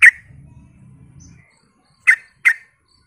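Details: Lure call of a vigorously singing Sooty-headed bulbul meant to draw replies: one loud chirp, a stretch of low rumbling noise, then two crisp chirps close together.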